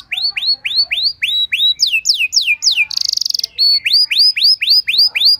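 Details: Canary training and lure song: long series of rapid, repeated falling whistles about four per second, broken by a short harsh buzzy trill, then more sweeping whistled notes.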